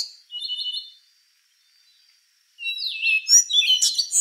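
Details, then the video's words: Short wavering whistle from a rufous-brown solitaire, a pause, then an intricate rush of high, squeaky and twittering notes that rises in loudness to the end. "Canto do Sabiá Castanho | Rufous-brown Solitaire"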